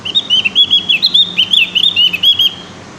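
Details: A Javan grey-throated white-eye practising its song, giving a continuous, hurried string of high sweet chirps that rise and dip, about a dozen notes in three seconds.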